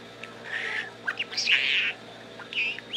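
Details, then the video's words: A talking pet budgerigar chatters in a scratchy, high-pitched warble, with several quick bursts that may carry the words "good morning". "Baby Bird says Good Morning"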